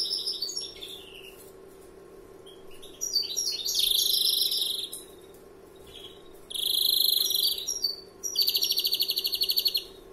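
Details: First-year greenfinch giving extended larguero phrases: twittering descending notes, then two strong buzzy trills of rapidly repeated notes separated by pauses, low hum throughout.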